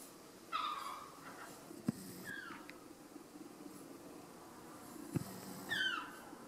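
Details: Adult herring gull parents give three harsh, downslurred cries, with two sharp knocks between them, while attacking a man smoking in a parking lot to fend him off from their nearby chick.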